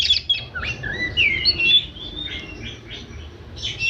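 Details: Varied song of an oriental magpie-robin: rapid sweet whistles, rising and falling slurred notes and scratchy trills run together in quick succession, with a faint low hum underneath.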